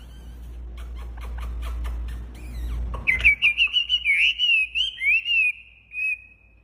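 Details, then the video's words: Hwamei (wambi) singing actively: a low hum and scattered clicks fade out, then a fast string of bright, slurred whistled phrases repeats several times a second, ending with one separate drawn-out whistle. "Suara Khas Burung Wambi Gacor Enak Suaranya"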